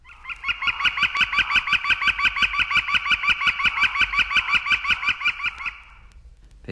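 Red-shafted Flicker gives a long, even run of loud, ringing wick notes, about five or six a second for over five seconds, ending with a brief click.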